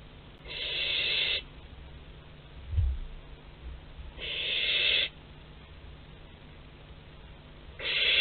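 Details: At Théding in France on 10 July 2021, a young barn owl at its parents' food store gives three harsh, breathy hisses, each about a second long and spaced roughly three seconds apart, with a soft knock in between.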